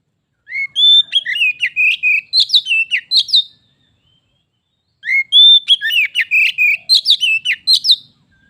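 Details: White-rumped shama, a caged pet visited by a wild shama, the two competing in song until it turns into a fight: two rich phrases of whistled and chattering notes, each about three seconds long, separated by a pause.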